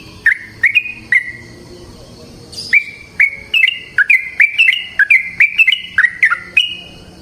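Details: Yellow-vented bulbul pouring out a long, rolling natural song used to lure other bulbuls into song. A few scattered bubbly notes lead into a rapid, continuous run of gurgling, down-slurred whistles.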